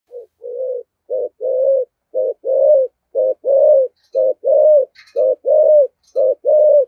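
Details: Spotted dove giving a 'giọng thổ' style 'thúc gù' coo: low, mellow paired notes, a short coo followed by a longer one, repeated about once a second in a steady rhythm, with a faint chirp near the end.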